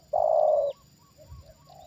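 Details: Trained spotted dove reacting to a descending wild bird: one long, steady, low hollow coo lasting about half a second, followed by a few faint, soft coo notes.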